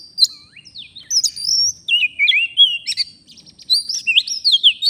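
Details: Oriental magpie-robin from the forest, wild, in full song while being lured: fast varied phrases of sweet sliding whistles and short twittering notes, delivered almost without a break.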